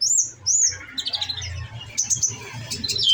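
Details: Olive-backed sunbird kept in a cage and fed nectar, giving high, thin whistled notes that slide up and down, then a tumble of fast squeaky chirps; low background hum throughout.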